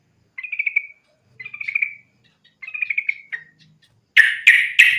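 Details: Yellow-vented bulbul fighting song meant to draw other bulbuls into song: three bubbly gurgling phrases spaced about a second apart, followed by three loud harsh chirps in quick succession.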